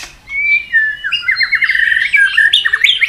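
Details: White-rumped shama singing a continuous, varied forest-style song in a contest: clear whistled notes sliding into rapid rising and falling trills and quick warbled flourishes, loud and close, without pause.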